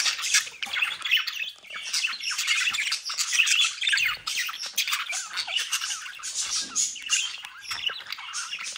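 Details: Several budgerigars bred at home near Den Haag, Netherlands, chatter nonstop in a continuous buzzy, scratchy warble of rapid squawks and chirps with no pauses.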